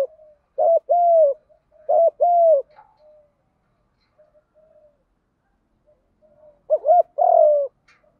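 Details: Spotted dove giving field-voice fighting coos to draw in wild doves: two paired coo phrases in quick succession, several seconds of near silence, then a further phrase ending in a long falling coo.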